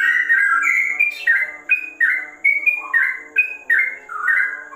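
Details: Whistled song of a sooty-headed bulbul, said to resemble a straw-headed bulbul, with rhythmic bursts of fluty notes, several dipping downward before climbing again, delivered almost continuously.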